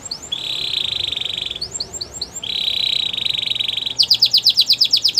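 A Gloster canary sings long, even, high trills lasting over a second each. Quick rising chirps link them, and a fast run of bright repeated notes closes the phrase.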